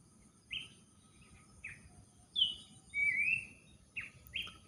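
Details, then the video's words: Abbott's babbler singing while someone gardens: short clear whistled notes spaced about a second apart, then one long, slightly wavering drawn-out whistle, followed by two more brief rising notes. "berkebun di temani burung pelanduk semak"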